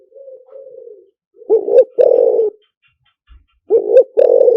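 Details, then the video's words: Spotted dove giving a lure-style song, the fast-answering 'หลิ่วตัน' style, in a small indoor space: soft low coos followed by louder paired rolling coos, each phrase about half a second, with short pauses between them. "เสียงต่อนกเขาใหญ่หมานๆ, เสียงนกเขาใหญ่ ต่อเข้าเร็ว เสียงหลิ่วตัน"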